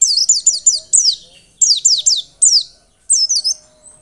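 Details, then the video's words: White-eye song used as a lure to stimulate singing: bursts of high, steeply falling chirps in rapid runs of four or five, separated by short pauses. "Pancingan pleci biar gacor dan ngotot."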